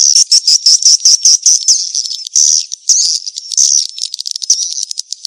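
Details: Swiftlet 'kejar kawin' mating lure: fast, evenly spaced high chirps, nearly two per second, which then merge into longer buzzy twittering phrases and quick clicking notes.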